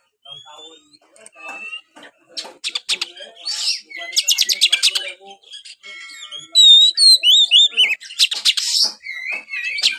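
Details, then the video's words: Oriental magpie-robin singing, meant to get a reluctant kept bird singing too: a varied stream of rapid ticking notes, buzzy bursts and loud slurred whistles, growing stronger toward the end. "buat burung Kacer anda yang malas bunyi"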